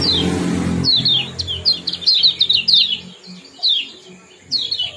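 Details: Kecial kuning, the Common Iora, in a 'ciak jos' chirping combination used to bring birds into breeding condition: a string of sharp, high, downslurred chirps, after a noisy low rumble in the first second.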